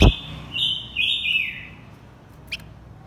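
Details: A sharp knock, then a blue-winged minla pair, male and female, sings as a lure for wild birds: two bright sustained whistles, the second sliding downward, followed by a short faint chirp.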